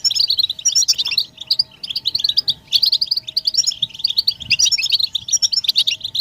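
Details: European goldfinch song played to stimulate males to sing and break their silence: dense, fast, twittering chatter of high tinkling notes in overlapping bursts, as from several birds, with a faint steady hum beneath.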